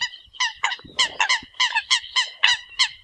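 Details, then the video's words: Eurasian coots calling the flock in a dense burst of loud, nasal, overlapping notes, roughly three a second, with some low thumping noise beneath. "Tiếng kêu của Chim Sâm Cầm || Chim Sâm Cầm gọi đàn"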